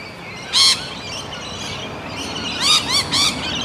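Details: Sulphur-crested cockatoo with one strong, harsh, ringing note early on, then three more loud arched harmonic squawks in quick succession near the end, with faint outdoor background hiss.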